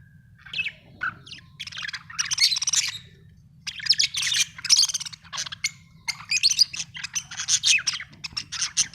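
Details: Budgerigar chirping: busy bursts of high, scratchy warbles and chatter, dense and overlapping, with short pauses between runs and a faint low hum underneath.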